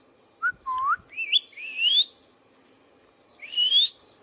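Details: Indian ringneck parakeet kept as a pet, giving a short low whistle, then a run of rising, slightly wavering whistles and a final upward sweep after a pause; quiet background hum.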